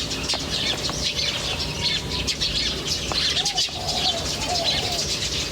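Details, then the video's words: A chorus of birds in nature twittering busily: dense, bright chirps throughout, a faint short whistle early, and a soft rolling lower warble near the end over steady background noise. "The chirping of birds in nature is very relaxing"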